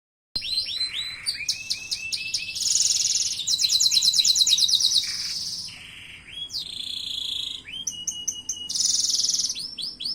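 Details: Canary in full song: a rich, continuous run of high trills, rapid buzzy rolls and sweeping whistled notes, changing phrase every second or two, with a faint low hum underneath.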